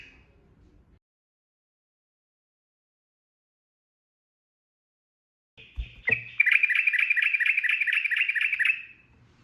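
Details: Sooty-headed bulbul, ropel singing as masteran audio: after a long silence, a sharp click then a sustained buzzy trill of very fast even notes lasting nearly three seconds.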